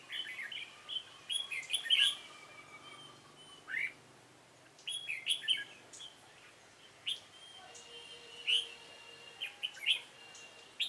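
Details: A dark-bibbed red-whiskered bulbul sings during decoy trapping on 28 February 2017. Bright, chirpy phrases of quick rising and falling notes come in bursts about every two to three seconds, with other birds faintly audible.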